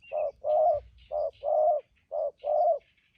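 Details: Newly caught spotted dove kept for trapping, calling 'thúc gù' coos: three evenly spaced pairs of a brief low note followed by a longer hollow one, with soft high chirps of other birds.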